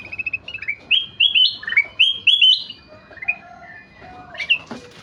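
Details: Kutilang emas (ruby-throated bulbul) in spirited song, a quick patter of short notes leading into loud, clear whistles that climb and dip in varied phrases, then softer, lower notes and a final rising flourish.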